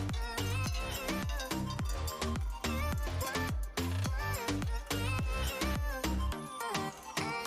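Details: Steady electronic dance music with a thumping beat and bright melodic lines throughout, no animal voices.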